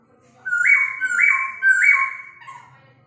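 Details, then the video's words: Forest laughingthrush singing a rooster-crow imitation: three loud, clear whistled phrases, each stepping up and then dropping, like a drawn-out crowing. "Khướu bổi rừng già giọng hót Gà gáy Ò... ó... o"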